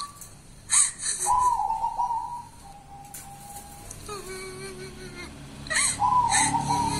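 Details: Zebra dove, a local wild bird known as 'kuntilanak', gives warbling cooed notes that step down to a lower, longer purring trill, with brief clattering noises between the phrases.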